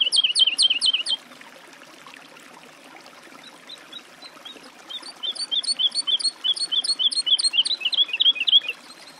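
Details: Woodlark song in two phrases, a loud burst of rapid, falling, liquid notes, a brief pause, then a longer fluting run of repeated descending notes that builds and fades.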